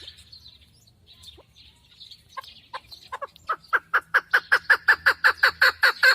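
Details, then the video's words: Female chukar partridge used for hunting, starting with soft, sparse clucks that grow louder and speed up into a regular, emphatic chuk-chuk series in the final seconds. "Модкабки шикори - Keklik - الحجل الطائر"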